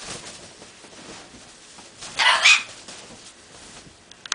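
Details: Pet bare-eyed cockatoo (little corella) indoors, riding bedsheets as a bed is made, gives one harsh, raspy half-second squawk amid soft fabric rustling and a few clicks.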